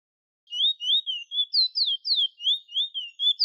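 A bullfinch sings a quick string of about a dozen clear whistled notes, each sliding up and down, some piping higher than others; no other sounds.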